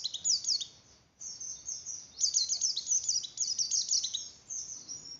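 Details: Javan grey-throated white-eye singing to stimulate breeding condition in other white-eyes, with bursts of high rapid twittering broken by short pauses over a noticeable background hiss.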